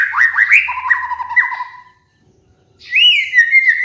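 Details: White-rumped shama (murai batu) master song for training cage birds: fast chattering whistles jumping between two pitches, a short silence, then a sweet falling whistle.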